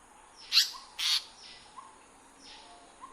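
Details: Indian paradise flycatcher in breeding habitat: two sharp, harsh high calls close together, followed by fainter distant chirps and soft whistled notes in the background.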